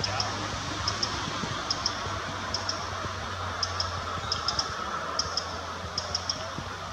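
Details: Eurasian wren giving alarm calls at Würm, Mühltal: sharp, high ticking notes in pairs or triplets, repeated irregularly about every half second to second over a steady low hum.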